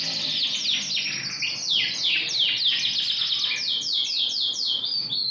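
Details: Yorkshire canary, ring 20, big size, in lively song recorded 28 January 2021. Rapid bright trills of steeply descending notes roll on, changing speed and pitch between phrases.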